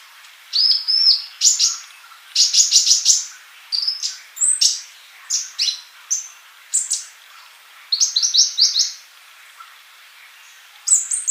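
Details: Male olive-backed sunbird singing energetically, used as a tutor for young birds not yet singing: bursts of high, sharp chirps and short buzzy notes in quick clusters, with brief pauses between phrases.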